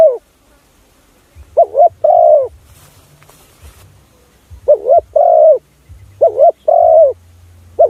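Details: Spotted dove lure call used to attract other doves: paired coos, a quick double-noted note and then a longer, drawn-out mellow coo. The pairs repeat with short silent gaps, over a faint low hum.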